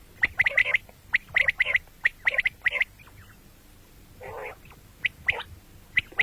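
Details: Common quail calling, given morning and night: sharp, clipped notes in quick groups of two or three, repeated through the recording, with one longer, lower, rougher burst in the middle.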